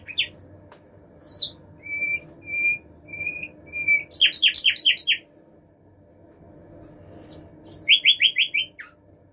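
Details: Common nightingale (Luscinia megarhynchos) at a bird feeding spot singing varied phrases: a few long, pure whistles, then rapid bursts of about eight loud, rich repeated notes, over a low background hum.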